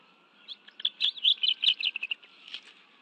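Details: Afternoon nest scene at the National Arboretum, Washington, D.C., 11 June 2017, adult bald eagles delivering fish to two young: a softer series of high, staccato chirps building and fading, about two or three per second.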